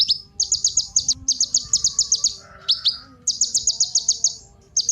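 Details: Kolibri ninja sunbird, a song meant to prompt other birds to sing. It gives short, fast phrases of sharp, high chipping notes almost without pause, and one faint lower rising note can be heard.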